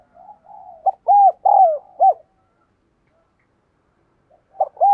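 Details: Spotted dove lure for stimulating males: faint low murmurs lead into a loud four-note coo phrase, about two seconds of silence follow, and a new phrase begins at the end.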